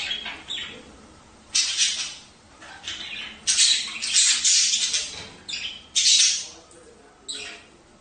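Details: Harsh, buzzy budgerigar squawks, offered as encouragement for pairing and breeding, come in separate loud bursts of about half a second spaced irregularly, with quiet gaps of faint chatter in between.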